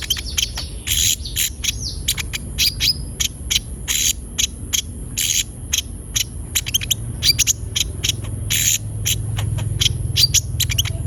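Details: Active brown-throated sunbird used to coax beginner birds into singing; long run of sharp high chips and short buzzy bursts, one swooping slurred note early, with a low droning hum rising near the end.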